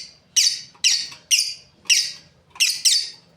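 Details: Lovebirds, a breeding pair, making loud piercing chirps about once every half second, six harsh bursts that drop slightly in pitch, the last two close together.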